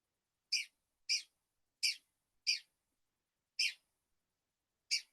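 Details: Red-cockaded woodpecker, a sound heard in pine flatwoods at Jonathan Dickinson State Park, Florida, gives six short, harsh, high-pitched notes at an uneven pace, roughly one per second, with a clean, quiet background.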